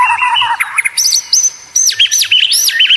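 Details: Competition-trained white-rumped shama in a cage, singing a short warble that breaks into loud clear whistles, some high and level, others looping sharply down and up.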